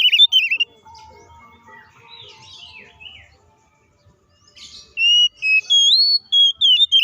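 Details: Oriental magpie-robin fighting song, used to provoke rivals: a brief whistle, soft scattered chirps and a quiet stretch, then from halfway a loud series of clear rising and falling whistled notes.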